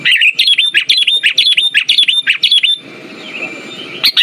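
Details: Sooty-headed bulbul song played as a lure to stimulate silent birds: quick bubbly whistled phrases repeated about twice a second for nearly three seconds, then a quieter pause before one more phrase.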